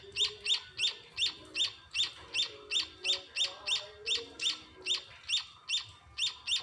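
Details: Hand-fed munia chicks at home give a brisk train of about eighteen shrill chirps, roughly three each second. Soft rustling and low murmurs sit underneath.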